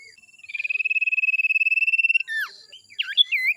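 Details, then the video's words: Songbird in the 'tembakan jitu' masteran style holds a long, even, fast trill on one pitch for nearly two seconds. It then gives sweeping whistled notes that swoop down and up. "masteran burung tembakan jitu"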